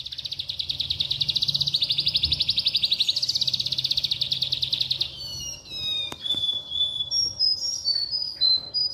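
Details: Oriental skylark song: a long rapid buzzy trill held high for five seconds, then a run of thin whistled notes sliding down and up, with faint low background hum.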